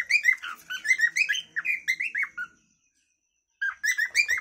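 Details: Pet cockatiel's natural calling song: quick run of squeaky, warbling chirps with rich harmonics, about three per second, stopping for a one-second silence before another short burst of chirps.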